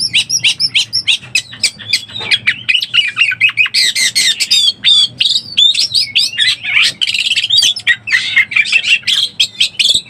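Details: Oriental magpie-robin in breeding condition, a lure call to excite birds: long, energetic stream of rapid chips, whistled slides and harsh squawks in clipped bursts, loud and continuous throughout.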